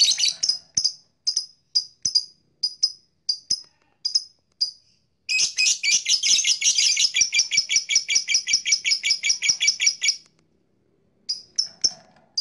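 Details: Blue black-masked lovebird giving long chirping: evenly spaced high chirps, then a dense, rapid run of harsh notes lasting about five seconds, followed by a pause and a few more chirps.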